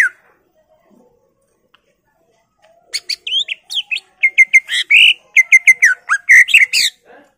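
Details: Greater green leafbird full-filler song for prompting other birds: after near silence, a loud rapid sequence of sharp chips, repeated flat whistles and swooping slurs, roughly two notes per second.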